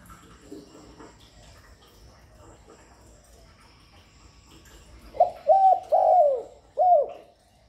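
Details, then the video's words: Spotted dove call for luring doves: faint background for five seconds, then a short phrase of low coos, a long falling note and a final brief coo. "Tiếng Cu Gáy GọI, Cu Thúc, Cu Gù liên tục không tạp âm, kích bổi hiệu quả, Tiếng cu đất gáy, Cu cườm"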